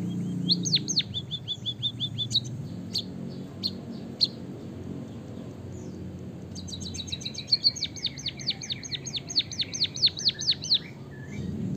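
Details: Song of a white-headed munia from Java with canary song fill-in, played to stimulate other birds: early burst of descending whistles, scattered single chirps, then a long rapid sequence of clear downward-sweeping notes.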